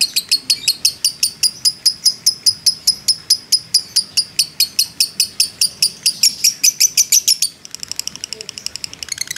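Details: Fighter-type lovebird in a long ngekek bout, used to stir other lovebirds: rapid high chattering notes repeated steadily, turning to a thinner, faster ticking series near the end.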